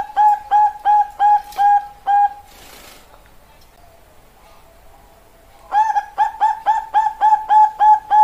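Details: Bangkok-type perkutut, or zebra dove, cooing in bright, steady repeated notes: seven rapid coos, a brief rustling noise and several seconds of near silence, then about ten more coos in a fast, regular series.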